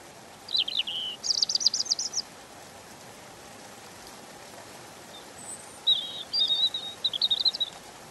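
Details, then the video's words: Gentle song of a European robin, a small songbird: two bursts of rapid trilled, twittering notes separated by several seconds of quiet, with a continuous background hiss. "Ласковое пение Зарянки(малиновки)"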